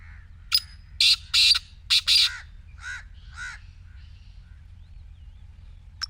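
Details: Rasping call of a black francolin, used to coax a silent partridge into calling: one harsh phrase of five quick scratchy notes, followed by two softer mellow notes from another bird and quiet.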